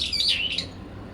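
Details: Brown-eared bulbul in a late-September territorial dispute between two birds in a cherry tree: one brief, shrill, wavering squeal lasting under a second.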